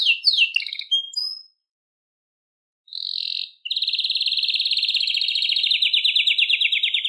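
A canary sings a few quick chirped notes, pauses, then runs into a long, fast, high rolling trill that slowly drops in pitch. No other sounds.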